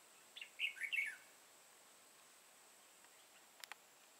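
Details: Red-whiskered bulbul with a lân crest and dark bib, during a trapping session on 31 March 2018. One brief, lively, warbled whistle phrase is followed by quiet hiss and two sharp clicks near the end.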